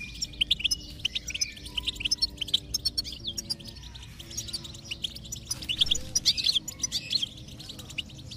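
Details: Goldfinch song intended to stimulate a silent goldfinch: continuous high twittering and chirping with short trills, accompanied by steady low musical tones that shift pitch a few times.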